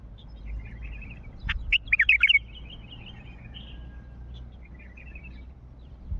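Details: Wild Mandali bulbul calling: a sharp click, then a rapid tumble of rich bubbling notes around half a second long, followed by faint thin twitters over a low background rumble.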